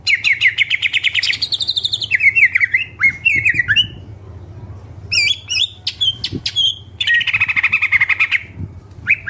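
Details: Greater green leafbird in active song with fill-in phrases: a rapid buzzy trill, wavering whistles, a pause, sharp isolated chirps and a closing dense warble, over a faint low hum.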